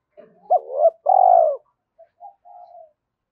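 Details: Spotted dove coo in the thúc style, aimed at stimulating decoy doves: two rising hooked notes, a loud, long, level coo dropping at its tail, then a few soft trailing murmurs.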